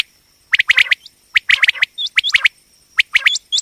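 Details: Female common quail, a call for hunting and trapping quail: quick bursts of three or four sharp, rasping notes, each group ending in a short rising hooked whistle, about every second.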